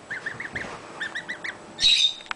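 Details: Young foster Canada goose gosling following its keeper around a house in summer; two runs of short, clear piping peeps, about four notes each, evenly spaced, then a brief hissing clatter at the end.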